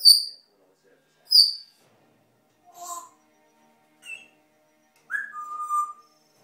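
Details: Indoor pet African grey parrot, aged three, vocalising with its owner: two high clear whistles, a short buzzy note, a brief chirp, then a falling whistle held steadily for nearly a second.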